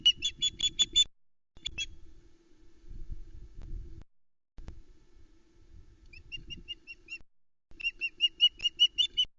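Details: Nest-cam recording from Loch Arkaig, 12 July 2020: a female osprey reacts to an intruder near her nest with chicks, giving rapid strings of shrill, piping yelps, about seven in a row, a brief burst, then two runs of six, with a low hum between.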